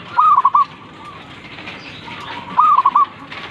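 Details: Morning call of a zebra dove: a high cooing note, then a rapid run of short staccato coos. The phrase repeats once after about 2.4 seconds, over a faint hiss.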